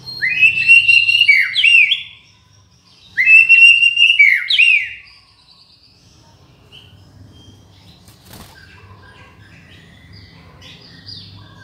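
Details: White-rumped shama song from a master recording meant for training and luring: two loud phrases of sharp whistles and quick descending slurs, a click, then quiet distant twittering notes over a low hum.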